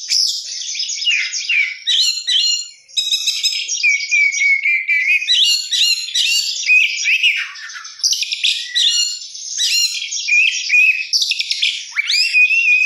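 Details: Oriental magpie-robin (kacer) singing a lively 'gacor' song rich in 'isian' fill-in phrases: a near-continuous run of high whistled slurs, buzzy chatters and sharp trills, briefly pausing near three seconds, with no other sounds.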